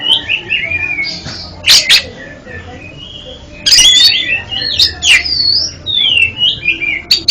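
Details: Oriental magpie-robin singing, intended as therapy for a bird that stutters: varied loud whistles, sharp bursts and scratchy notes, with a quieter pause near the middle before a dense rich phrase of swooping whistles and crisp chips.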